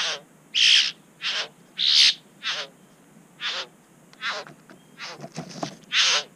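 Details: Satin Bowerbirds in NSW, Australia, interacting near a bower recorded by a GoPro. Loud, rasping, buzzy calls repeated irregularly, about one per second, with a cluster of softer clicks and scrapes near the end.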